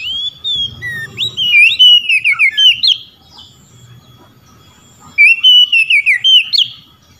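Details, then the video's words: Oriental magpie-robin calling out to rival magpie-robins, which answer; loud, varied whistled phrases sliding and warbling, two bursts of rapid notes separated by a quiet pause. "Kacer ngeplong panggil lawan.kacer lain auto nyaut"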